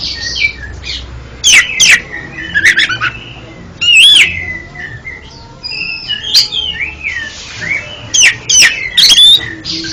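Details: Oriental magpie-robin song played as therapy for a stuttering kept bird: bright whistled notes and sliding phrases, broken by sharp rapid bursts around the second and ninth seconds, with quiet gaps between phrases.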